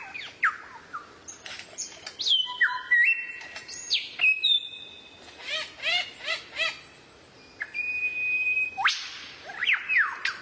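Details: Rare bird tutor song for training kacer: mixed phrases of steep upswept and downswept whistles, flat held tones, and a burst of rapid arched notes, delivered irregularly over ten seconds.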